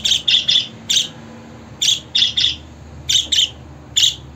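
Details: Budgerigar giving short, harsh, high chirps in loose clusters of two or three, with pauses of about a second between groups; quiet background.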